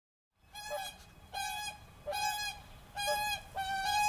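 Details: Whooper swans in Tartu county, Estonia, on 13 April 2013, recorded with a Roland R-05: loud, trumpeting honks, each rich and nasal, given about every second in a steady series.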